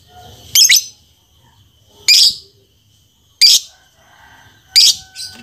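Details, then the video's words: Lovebird giving four harsh, shrill, squeaky chirps spaced roughly every one and a half seconds, with quiet gaps between. "SUARA BURUNG LOVEBIRD"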